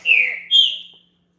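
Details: Green-winged saltator champion song for warming up a caged bird: two strong whistled phrases, the first longer and falling, the second higher and trailing away, then quiet.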